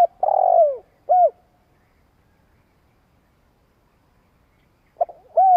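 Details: Red collared dove giving a long cooing phrase used as a lure: a low, hoarse, buzzy coo followed by a short rounded note, then a pause of several seconds before the next pair of notes begins; quiet background.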